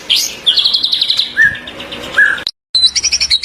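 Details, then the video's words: White-rumped shama song for training captive birds, 2024. A high buzzy trill, two short slurred whistles, then a short silent cut followed by a fast series of chipping notes. "MASTERAN MURAY BATU 2024"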